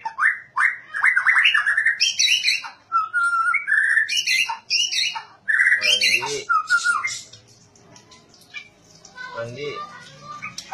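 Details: Energetic white-rumped shama song: fast, varied phrases of chirps, sharp high notes and steady whistled tones, loud for about seven seconds, then fading to quieter, scattered notes.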